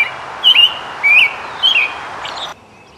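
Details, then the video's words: An American robin sings three short, clear whistled phrases, each slightly rising and falling, about half a second apart, over soft steady hiss; the bird was singing, foraging and collecting nest material. "American Robin"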